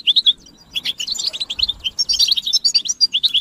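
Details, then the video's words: European goldfinches give their mating and readiness calls as a group chatter to stir males: a few clear chirps, a short lull, then a dense, sparkling twitter of quick high notes. "بتبتة الحسون تحفيز الحسون على التغريد والهيجان علاج صمت الحسون goldfinch stimulation"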